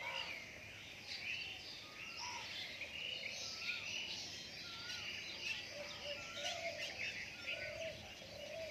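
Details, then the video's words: Birds in a dawn chorus after rain: overlapping high twittering and chirps, with clear rising and falling whistled notes recurring every second or so, over soft constant background noise. "Dawn time of birds singing after rain"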